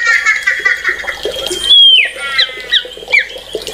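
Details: White-rumped shama song with buzzy rattles, then a clear downslurred whistle and short rising notes, over a faint hum.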